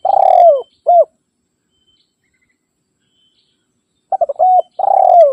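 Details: Spotted dove rival call used to lure wild birds. Opens with the tail of a phrase, a long falling rolling coo and a brief final coo, then a pause of about three seconds before quick coos and another long rolling coo begin.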